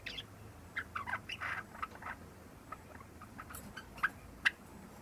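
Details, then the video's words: Java sparrow youngster, just over three months, practising subsong: a quick chattering phrase at the start, then quieter scattered notes and two crisp clicks near the end. "文鳥 ぐぜり（さえずり）の練習"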